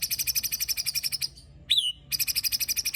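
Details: White-rumped shama singing harsh 'tembakan' and 'besetan' phrases, meant to provoke other shamas: a fast, even string of buzzy, high notes, roughly a dozen a second, broken by one slurred whistle.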